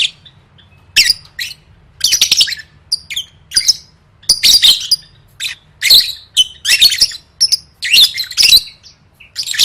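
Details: Competition-training lovebird song: a long run of rapid, scratchy squeaks and chattering notes in frequent irregular bursts, high and shrill, over a quiet low background hum.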